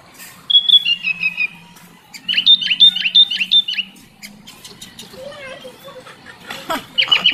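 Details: Sooty-headed bulbul singing to lure hesitant kutilang: an opening warbled phrase, then a louder run of five bouncing downslurred notes, followed by scattered clicks, squawks and other chirps.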